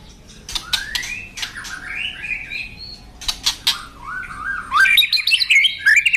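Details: Masteran song of a white-rumped shama in full voice: smooth rising and falling whistles linked into flowing phrases, broken by sharp clicking notes, ending in a fast, high, jumbled twittering run.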